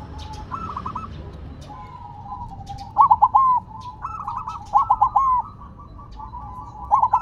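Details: Silver zebra dove, set on the ground, still singing vigorously: loud stuttering cooing phrases of quick clipped notes near three, five and seven seconds, with softer rolling coos from other doves continuing underneath.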